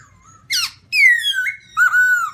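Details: Black-throated laughingthrush of the white-cheek form: a sharp rising note, then two long, strong, slightly falling whistles with a ringing tone.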